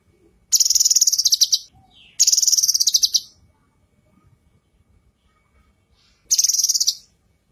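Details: Female leafbird (cucak kinoi) singing a loud, high, rapid trilled phrase of many fast notes around 1.1 seconds long, repeated three times with pauses between, recorded for training other birds; quiet background.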